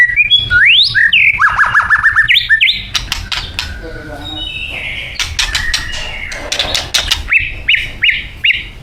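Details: Thai white-rumped shama singing its isian. Looping rising whistles open the clip, followed by sharp clicking notes and a soft low warble. Short rising whistled notes are repeated near the end.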